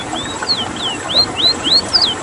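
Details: Ruddy-breasted Seedeater (Sporophila minuta), a rare bird from Suriname, sings a rolling run of about five high, sweet, slurred whistles, some swooping down and some rising, roughly one every third of a second.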